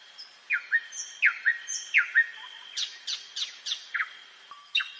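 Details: Nightingale song at night among forest trees: repeated pairs of loud sharp descending notes with short whistles, then a rhythmic series of rapid chipping notes about four per second, over a faint constant high drone.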